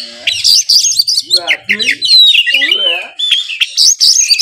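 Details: Oriental magpie-robin, a kept bird from Kudus, pours out loud varied song full of mimicked fills like fighting sparrow and kingfisher; shrill whistles, descending chirps and a long thin slurred note, almost without pause.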